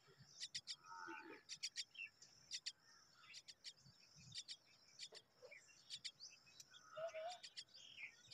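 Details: Hungry young common mynas waiting for their mother: repeated quick clusters of sharp, high chirps, two to four notes at a time, over a soft background with faint lower chatter.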